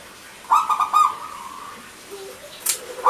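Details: Zebra dove, a local bird singing actively with a clear, crystal voice, used as a lure for male and female doves that have stopped singing: a quick, stuttering run of rolling coos that trails into a held note, then a soft lower coo.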